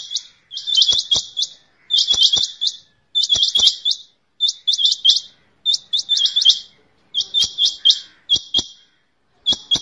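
A rain quail gives short bursts of rapid, high, metallic chipping notes, repeated about once a second, with sharp clicks between the bursts.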